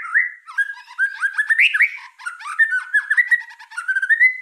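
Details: Murai batu trotol, white-rumped shama, in a mid-pitched warbling passage of slurred whistles mixed with soft scratchy chatter, steady and unbroken.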